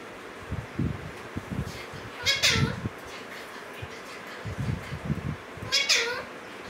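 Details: Pair of caged Alexandrine parakeets, male and female; two nasal harmonic calls with dropping endings roughly three and a half seconds apart, over low thumps and rustling handling sounds.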